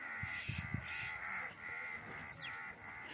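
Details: Crows in the Thar Desert, Sindh, Pakistan, give harsh, rapid caws that overlap in a noisy, continuous chorus while a cat hunts insects nearby.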